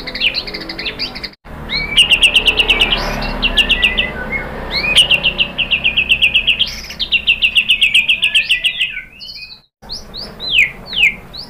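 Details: White-rumped shama lure song meant to provoke other birds into singing. Long, fast trains of buzzy, metallic chips mix with swooping whistles, and a series of falling whistled notes follows near the end.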